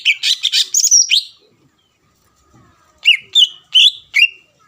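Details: Greater green leafbird song aimed at provoking a rival: a dense buzzy burst of chattering notes, a quiet gap, then four distinct looping whistles spaced about a third of a second apart.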